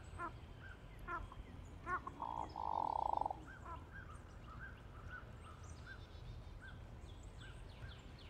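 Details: A flock of hooded mergansers giving their typical low, frog-like grunts in short bursts, with one longer drawn-out rolling groan, over a steady low rumble.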